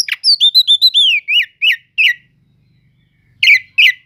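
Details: Oriental magpie-robin of the kacer cele'ngan type singing to stir other magpie-robins: a fast string of clear whistled notes, then slower slurred downward whistles, a quiet pause and two final slurred notes.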